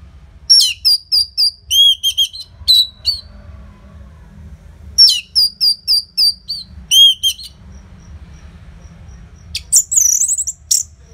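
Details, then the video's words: Orange-headed thrush singing loudly with tight gaps: two matching phrases of rapid, evenly spaced high whistled notes with a lower dropping note, separated by silence, then a final shrill tumbling flourish. "Pancingan & Masteran ANIS MERAH Gacor Jeda Rapet Suara Keras"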